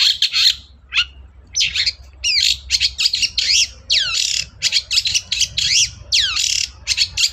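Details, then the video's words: Long-tailed shrike pouring out lively song, played to coax a reluctant shrike into singing: varied harsh notes and quick downward-sweeping whistles delivered in close succession, each phrase short and raspy. "BURUNG CENDET GACOR DOR, MEMANCING CENDET DIEM AUTO NYAUT GACOR"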